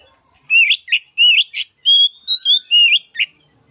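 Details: Oriental magpie-robin singing, meant to prompt a reluctant bird to sing: loud, clear whistled notes in short bursts with rising and falling slurs and sharp chirps, about eight phrases in under four seconds.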